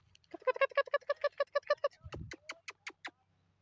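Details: Grey francolin, known locally as Dakhni teetar, giving a rapid run of about a dozen nasal, harmonic notes, then several sharper, clipped notes spaced more widely. A brief low thump comes in the middle.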